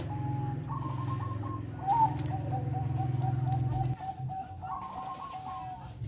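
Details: Bangkok zebra dove giving its melodious song, used to stimulate breeding desire: quick trills of clipped whistles, then a long string of rapid even coos, with a strong low hum underneath.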